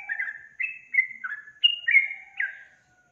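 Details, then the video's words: Yellow-vented bulbul in vigorous song: a phrase of rich, gurgling whistles that alternately rise and fall, with a faint lower tone running under parts of it. "SUARA BURUNG TRUCUKAN GACOR"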